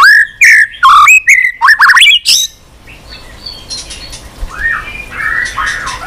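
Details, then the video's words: White-rumped shama singing without pause, many-voiced, with tail flicks on its perch. A quick string of loud warbled whistles and upslurs opens, then fades into softer, distant whistled phrases over hiss. "kích chòe lửa hót cực bền.hót liên tục , tạch đuôi sàn cầu kích là hót.chòe lửa hót nhiều giọng lạ"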